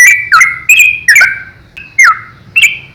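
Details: A yellow-vented bulbul's 'ropel' song used as master training for juveniles: a handful of strong, bright chirps with falling slurs, spaced under half a second apart.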